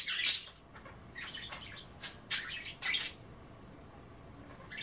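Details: Budgerigars chattering around a kale bath indoors; a few scratchy squawks and chirps in the first three seconds, then near quiet.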